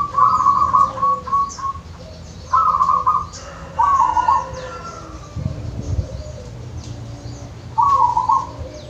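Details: Wild zebra dove in Wonogiri, Indonesia, repeating short rolling cooing phrases of bubbly beaded notes, several bursts spaced one to four seconds apart, with a faint lower rumble between them.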